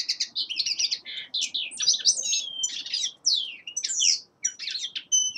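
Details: Young male common linnet singing in winter, a fast continuous twittering run of chirps, trills and short buzzy notes between mid and very high pitch, with brief nasal whistles, barely a pause across the phrase.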